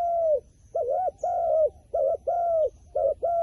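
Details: Wild pigeon cooing steadily in a rhythmic series of arched and level hoots, alternating short double-humped notes with longer ones, each separated by brief gaps.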